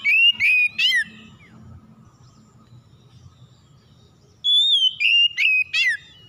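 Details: Lure song of an oriental magpie-robin, meant to spur other magpie-robins into singing. Loud piercing whistles open the recording, then a quiet stretch, then four rapid, ringing whistled notes with sharp downward flicks, with a faint low hum throughout.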